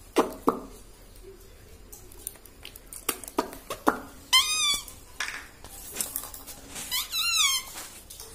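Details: Human-mimicking pet parrot in a room: scattered clicks and taps, then two wavering, warbled voice-like calls about three seconds apart.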